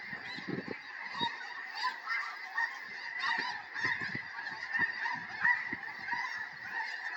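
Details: Snow goose flock of hundreds landing beside a Tennessee home, January 2026, ahead of predicted heavy snow; an ongoing mass of barking honks with frequent louder individual calls popping out above the chorus.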